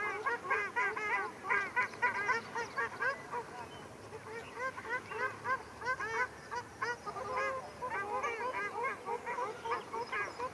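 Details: Ruddy shelducks (Tadorna ferruginea) fighting at Arucas, Gran Canaria, 13 February 2021: several birds trade loud nasal honks in rapid, overlapping bursts, about three or four calls a second, with no quiet break.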